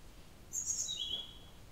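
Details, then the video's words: Blue-throated flycatcher calling: a single high, thin whistle that drops in steps partway through, over quiet background hiss. "Blue_throated_flycatcher Calling"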